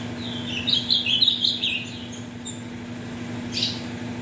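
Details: Ultramarine grosbeak, captive and bred from mutation parents, singing to warm up birds for tournaments. One quick, loud, high phrase of tumbling notes lasts about a second, then fainter sounds follow over a low steady hum.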